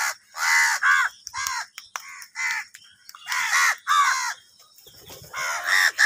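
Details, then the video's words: Crows calling angrily while fighting over food: harsh, hoarse caws in uneven bursts, several birds overlapping, some calls quick and clipped, others drawn out, with short gaps between volleys. "Kaka sound and noises of Crow birds | Crow bird Fight for Food | Angry kauwa ki awaaz"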